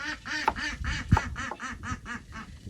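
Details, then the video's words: Backyard domestic ducks kept with chickens quack in a rapid, steady series, about four nasal quacks per second, with a low thump partway through. "You can hear my little chickens and ducks."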